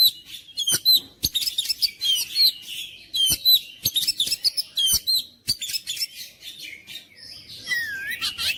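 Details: Oriental magpie-robin song: rapid varied whistles and chattering notes, high and bright, in dense bursts separated by brief pauses, with sharp clicks and a slurred falling whistle near the end.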